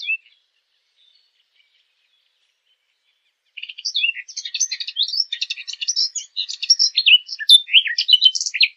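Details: Fig bird used as a hunting lure: after a few seconds of near silence, a long, rapid chatter of high, scratchy chirps, roughly several notes per second, continues without a break to the end.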